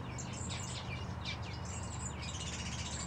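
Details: A Scarlet honeyeater resting in an aviary gives quick, thin, high-pitched chirps that slide downward, several in rapid succession, over a steady low hum.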